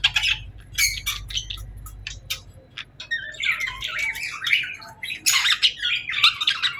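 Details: Pet birds give scattered short chirps at first, then longer scratchy warbling bursts in the second half, over a faint low hum.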